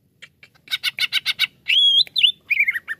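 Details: Greater green leafbird used in therapy for slow singers: a harsh buzzy rattle of about seven pulses, then a long pure rising whistle, a quick squeal and a falling chattered phrase.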